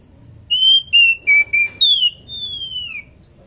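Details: Breeding female Oriental magpie-robin calling to its companion, giving a quick run of five loud, pure whistles, steady or slightly falling, followed by a long, gently descending whistle; quiet low background hum.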